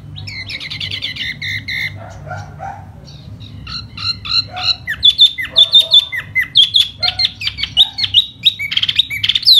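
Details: During spring display with fanned feathers, a laughingthrush starts with rapid chattering, then breaks into a run of loud, crisp whistled notes, each falling in pitch, repeated quickly.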